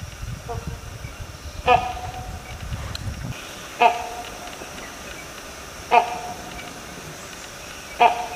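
A great hornbill gives four loud, harsh, barking honks about every two seconds. A low rumble fills the opening seconds.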